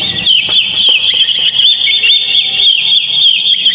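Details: Oriental magpie-robin (kacer) song played as a lure to provoke a caged bird into singing: a loud, continuous, dense stream of rapid high chirps and twittering notes without pause.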